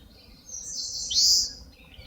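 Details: Eastern crowned warbler song in a forest on Palbongsan, Seosan: high, fast chattering notes building to a loud, buzzy, falling final note, sung once and fading into quiet woodland background.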